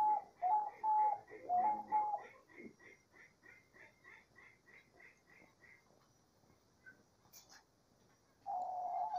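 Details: Diamond dove singing in nature: soft, low, mellow coos in two bursts during the first two seconds, then a run of quick, regularly repeated high chirps from another small bird, and a steady coo returning near the end.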